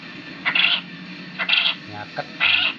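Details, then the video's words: Quail call used as a lure to make quail answer: three short bright buzzy bursts about a second apart, with a low steady hum underneath. "suara pancingan puyuh agar pasti langsung nyaut"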